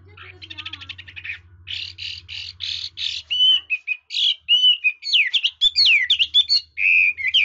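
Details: Red-whiskered bulbul, praised as a fine voice-switching singer, starting with soft rapid chatter, then louder buzzy bursts followed by clear slurred whistles and sharp V-shaped notes in quick succession.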